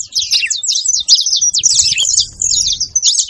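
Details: Saffron finches chattering together in a short burst of piercing, rapid twitters, with a couple of brief dips in the flow and faint low noise underneath.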